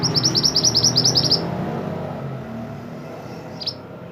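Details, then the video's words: Pied bushchat (mantenan) singing actively, a recording meant for tutoring songbirds: a fast series of about a dozen high, sharp chirps over roughly one and a half seconds, then low background rumble and one faint chirp later. "mantenan gacor burung masteran / chirping sound bird"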